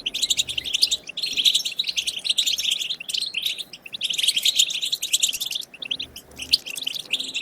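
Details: Wild-style 'bitbita' song of the European goldfinch, meant to encourage other goldfinches to sing: long runs of bright, liquid twitters and metallic chirps, dense and continuous, with two short gaps near the middle and end.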